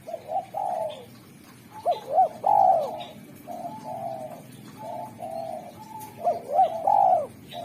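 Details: Derkuku spotted dove with a sharp, clear, sweet song for luring wild doves, cooing in soft phrases followed by two bursts of rising-falling hooted notes and a long drawn coo, faint high chirps in background.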